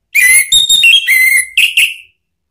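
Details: Song of an orange-headed thrush, Indonesia, used as a lure and therapy to get silent thrushes to respond. Strong pure whistles in a run of level notes stepping slightly lower, then two short higher whistled bursts; otherwise quiet.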